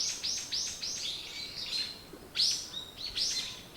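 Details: High descending chirps repeated rapidly in a loose series, then a louder burst of overlapping notes, from birds singing in the morning.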